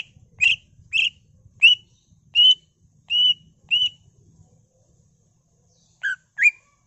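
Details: Greater green leafbird singing as a lure: a series of clear whistled notes, some slurred and sliding, spaced under a second apart, then a silence and two final sharp rising notes; faint low hum beneath.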